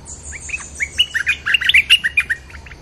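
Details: Wild-bird lure sound of a bulbul: a fast run of rich, liquid whistled notes, some sliding upward, others bouncing in pitch, delivered in a tight chattering sequence with a thin high hiss above.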